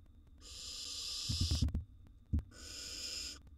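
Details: Wild barn owl nestling eating a gerbil in its nest box gives two sustained raspy hisses, each about a second long, separated by dull knocking and shuffling thumps.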